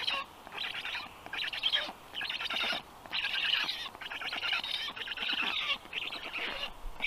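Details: Black stork storklets at the nest during feeding, Estonia, 6:22 p.m., 15 June 2022; harsh buzzy bursts, each under a second, repeated about once a second with short silent gaps.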